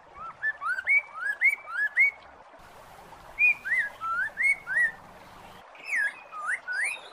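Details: Masked laughingthrush song used as a lure to get a silent bird singing again: bright whistled upslurred notes in quick runs of four to six, phrases separated by short pauses, with faint high chirps behind.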